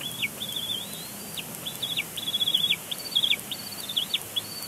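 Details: Bald eagle nestling at Big Bear Lake, April 27, 2022, squeeing in its father's face during a tantrum; a fast, broken series of short high whistled squeals with quick downward flicks, rising in intensity midway, over light background hiss.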